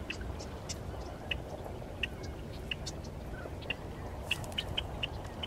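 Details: A Red-winged Blackbird at the Yolo Bypass Wildlife Area gives short, sharp check notes, repeated irregularly about every half second, over a steady low rumble of wind or distant traffic.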